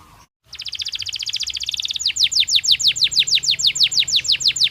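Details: Breeding-season canary in a cage: a quick even buzzing trill, then a steady series of descending chirps repeated about four times a second, with faint low background noise.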